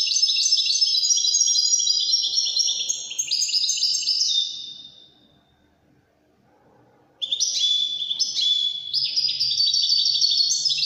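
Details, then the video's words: European goldfinch singing a Wedani phrase: a lively stream of high chirps and trills that fades out, then a gap of silence and a renewed burst of bright twittering. "تغريد طائر الحسون الويداني"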